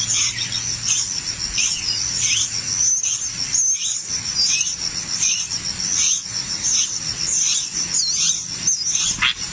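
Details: Nestling birds fussing while being fed in the nest, a continuous high thin shrill chorus of squeaky begging calls with short rising and falling notes repeated rapidly.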